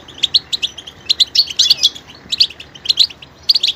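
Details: Goldfinch singing a rapid, varied twitter of short high chirps and slurred notes in quick bursts, with brief pauses between phrases; quiet background.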